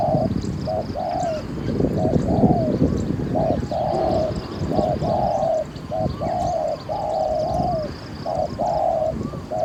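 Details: Spotted dove cooing during a decoy-trapping outing in Thailand, in the karm pa roi coo style. Rhythmic mid-pitched coo phrases of several short notes each, repeating steadily with brief gaps, over low rumbling background noise.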